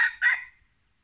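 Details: A wild junglefowl, lured during a decoy trapping session, gives a brief, harsh, clipped crow in two quick rasping bursts, then falls silent.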